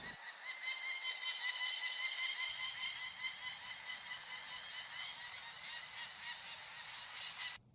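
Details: Wild adult peregrine falcons in full attack mode over their nest ledge on the Mount Tom Range, Western Massachusetts, 2015, the female driving a technician away from her chicks: harsh, rapid cackling notes, rich in overtones, repeated about two to three times a second.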